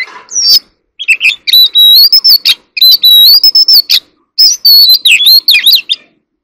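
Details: Competitive song of an Oriental magpie-robin, rich and continuous: sliding whistles that rise and fall, mixed with quick chips and trills, delivered in three dense bursts separated by short gaps.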